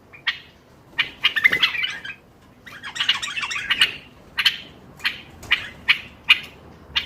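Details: ['Bulbul sound repeated to stimulate other bulbuls: harsh squawking chatter at first, then loud rasping notes spaced roughly every half second, over faint background noise.']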